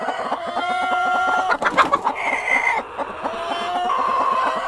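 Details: Hens and a rooster keep up dense, continuous clucking with overlapping drawn-out cackles. The sound is busy and loud throughout, with no pauses.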